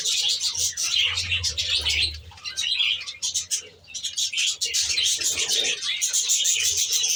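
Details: Captive budgerigars in an aviary chirping and warbling in a dense chorus that slackens briefly around four seconds; intermittent low cooing sounds behind.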